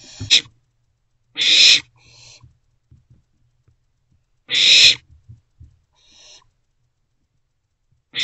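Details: Morning in a nest box on 13 April 2024: owlets, three in the box, let out three sharp, hissing screeches several seconds apart, with fainter hisses and soft knocks between.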